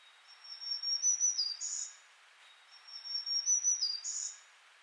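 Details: Black-throated Green Warbler giving two high, buzzy "zee zee zoo zee" or "trees trees murmuring trees" songs: wheezy level notes ending in a rising buzz, repeated about every two and a half seconds.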